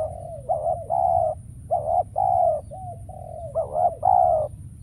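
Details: Caged decoy spotted dove calling during trapping, with wild doves said to be scarce: a series of mellow, hollow coos in short blocks, some slurred and dipping, repeated at an uneven pace over low rumbling background noise.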